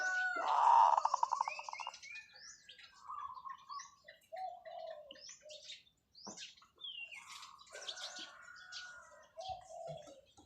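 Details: A decoy zebra dove opens with a loud, rapidly pulsed rolling coo that lasts about a second and a half, followed by assorted chirps and short whistles from nearby birds.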